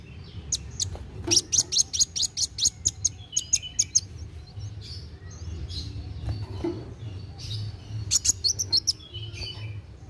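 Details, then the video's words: Sunbird singing busily and fast, a recording to stimulate young birds to sing; a long rapid string of high chips and twitters for about three seconds, quieter pause, then another brisk burst, low hum throughout. "KOLIBRI WULUNG GACOR NARUNG CEPAT MERANGSANG BUNYI BURUNG BAKALAN"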